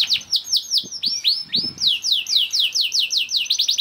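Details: Young canary singing rapid repeated downward-slurred whistles, about four to five per second, with a few upswept notes and faint low clicks underneath; used to encourage other canaries to sing.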